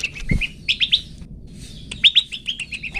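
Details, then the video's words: Long-tailed shrike singing, recorded for pet-bird song training: clear upslurred whistled notes in small groups, a near-silent gap in the middle, then more rising whistles and thin slurred notes. "Cendet toet toet Cocok Untuk Masteran Cendet macet"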